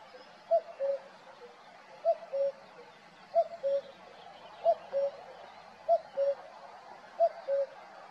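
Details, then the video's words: Male common cuckoo singing at Valdeolea, giving a clear two-note cu-coo, the first note higher, the second lower and slightly longer, repeated about every 1.3 seconds over a soft background hum. "Cuco macho cantando"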